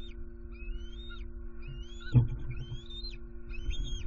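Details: Bald eagle pair calling loudly at their Southwest Florida nest at night, 23 September 2020, alarmed by something nearby, perhaps an owl; high rising whistled notes that fall off sharply, repeated about every second, a dull thump midway, constant low hum.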